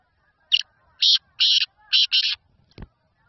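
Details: Seven-month-old black francolin, known locally as Desi Kala Teetar or Kohati Teetar, from Hangu in Khyber Pakhtunkhwa, Pakistan. It gives five harsh, buzzy bursts over about two seconds, the last two run together, then a sharp click.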